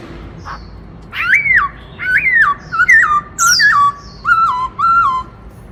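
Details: Black-throated laughingthrush kept in a cage, giving a loud song in the Bắt Cô Trói Cột style to stimulate other birds. Rich, clear whistled phrases rise then drop, repeated several times in quick succession, with a few sharp high notes mixed in.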